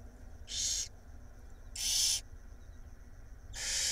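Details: Barn owl young, five nestlings in an Israeli nest box being fed by their mother at night, 7 April 2021; three separate soft harsh hisses, each under a second, spaced over quiet hum.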